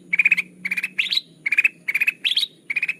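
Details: Lure call of a sooty-headed bulbul, used to attract birds for trapping. Quick stuttering clusters of three or four sharp notes follow one another in steady succession, and now and then a higher phrase cuts in.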